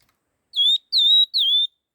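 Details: Rufous-tailed laughingthrush singing quickly in the 'kích' style: three strong, pure whistled notes in a row, each sliding down then holding steady, evenly spaced about 0.4 seconds apart, against silence.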